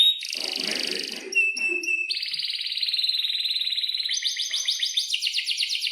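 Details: Atlantic canary in breeding mood giving a long rolling song for teaching young canaries; a buzzy opening gives way to a steady high whistled trill, then pulsing rattles that speed up toward the end.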